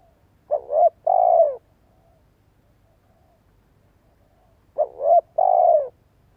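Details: Decoy spotted dove cooing, its call meant to set listening birds cooing. Two phrases about four seconds apart, each a quick wavering double note followed by a sustained, gently descending coo. Background otherwise silent.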